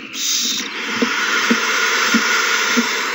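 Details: Owls in a frenzy at the nest after one hands a found mouse to another, March 21, 2020. A loud, sustained, breathy hissing fills the clip, with soft thumps about every half second.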